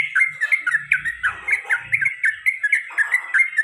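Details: Sooty-headed bulbul repeating its cuk cuk calls in the ropel panjang and garuda styles: evenly spaced short, sharp notes, about four per second, over a faint low rumble in the background.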